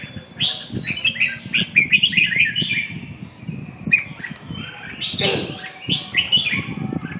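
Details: Red-whiskered bulbul singing lively, slurred whistled phrases in quick clusters, rising and falling, with a louder bout near the end, against steady low-pitched background noise.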